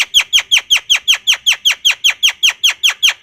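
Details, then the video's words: Javan myna repeating a sharp descending note about five times a second in a steady, even series. "Suara Burung Jalak Kebo"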